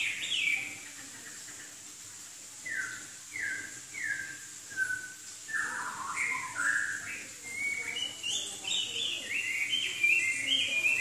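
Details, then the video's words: Southern Chinese hwamei song: a few separate falling whistles spaced about half a second apart, then a busy, rapid sequence of varied rising and falling whistled notes that grows louder, with a constant soft hum behind. "Kicau Burung Hwamei Wambi Gacor"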